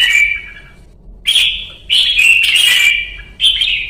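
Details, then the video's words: Red-whiskered bulbul in Vietnam giving a luyện ché training song. A sustained whistled note is followed by a pause, then several bright, slightly buzzy phrases in quick succession. "CHÀO MÀO | Luyện ché Pycnonotus Jocosus Red-Whiskered Bulbul"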